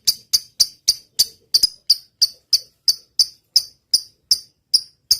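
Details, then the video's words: Lovebird in lively song for training other birds: high, piercing click-like chirps in a steady, evenly spaced run, about three per second, each with a short ringing tail. "suara burung lovebird gacor.. ngetik panjang.."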